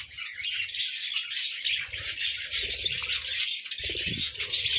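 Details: Morning budgerigar chatter: many overlapping chirps, squeaks and warbles blend into a steady high twittering wash that barely pauses throughout.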